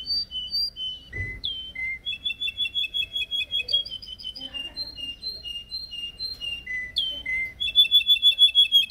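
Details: Caged yellow canary practising its song, recorded with a Samsung S8 Plus: a varied run of clear repeated whistled notes jumping between pitches, ending in a fast, louder repeated double-note phrase.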